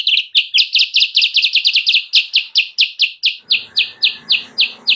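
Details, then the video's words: Sooty-headed bulbul song meant to attract wild birds: long, steady stream of sharp, bright, down-slurred chirps, fast at first and then slightly more spaced, with soft background hiss later. "suara burung kutilang sutra gacor!!! pancingan dan pemikat burung kutilang sutra liar"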